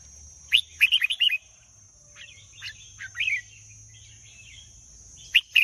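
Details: Red-whiskered bulbul, a caged bird, delivering a lively warbled phrase of rapid chirpy notes, then softer scattered notes and a final sharp burst, with a persistent high whine in the background.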